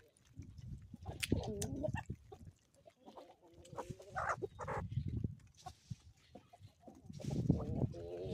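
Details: Several homestead chickens in the Ozarks cluck and squawk irregularly one morning. Short tonal notes are scattered among frequent low thuds and scuffling noises.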